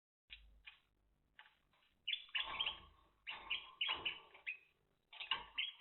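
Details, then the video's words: Timbrado canary in 2023, on day 10, singing in bursts of rapid rolling trills and chopped metallic notes separated by short silences, in a quiet indoor setting. "Timbrados Canary 2023"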